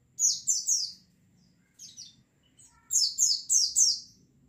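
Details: A white-eye flock intended to stimulate singing: a rapid trio of piercing downslurred chirps, a softer pair, then four quick loud notes in a row, all very high and thin.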